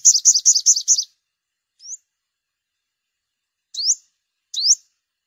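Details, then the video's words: Opens with a quick burst of six buzzy upswept notes, then three separate rising chips with pauses between them, from a yellow-bellied sunbird used as a lure in bird season. "Tiếng chim hút mật 5 màu bụng vàng"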